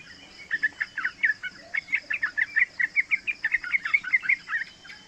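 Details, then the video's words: Yellow-vented bulbul youngster of three months, recorded as master audio for teaching other bulbuls: an unbroken rolling chatter of rapid, liquid, slightly rising notes, with a thin high whine in the background. "Panggilan trucukan muda AMPUH buat Pancingan trucukan agar bunyi ropel"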